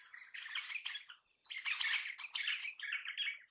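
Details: Crimson rosella in a continuous run of harsh, scratchy squawks and chattering notes with a short pause midway, the calls crowded and overlapping.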